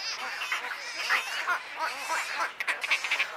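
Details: Begging wood stork chicks at Wakodahatchee Wetland in Florida: rapid, nasal, wavering squawks from several young overlapping, growing choppier and more clipped toward the end.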